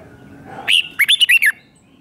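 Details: Red-whiskered bulbul five-syllable doubled song meant for teaching young birds: one clear rising whistle, a short pause, then four rapid looping notes, crisp and loud over a faint hum.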